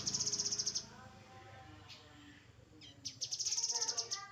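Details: Grey-headed canary-flycatcher song from a cage-bird training track: two fast, high, metallic trills of evenly spaced notes, separated by a quiet gap with faint low murmuring and scattered softer chirps.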